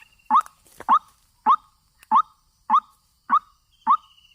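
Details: Trapping lure call of a white-breasted waterhen, a clipped upward-sweeping note repeated about every 0.6 seconds with even spacing, one brief clatter near the start.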